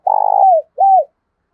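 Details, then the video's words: Spotted dove used as a decoy, calling to provoke wild rival doves: a quick, throbbing, trilled coo slides smoothly downward, then after a short pause comes a single clear arched coo. The notes are low and mellow, with a quiet background. "Tiếng chim cu gáy kich bổi mới[ tiếng thúc . gáy gọi ] chim cu gáy giọng hạp bổi, giúp bổi mau lên"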